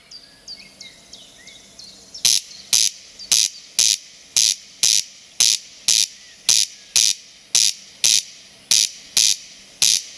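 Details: Corncrake singing in spring: a loud, dry, rasping double note repeated about once every half second, each burst broadband and harsh, with faint thin bird calls before it starts.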